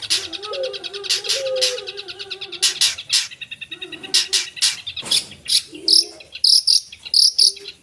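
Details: Vigorous long-tailed shrike song rich in mimicry, mixing a low warbled phrase with rapid high rattling trills, scratchy notes and, near the end, a run of clear, piercing, high chirps.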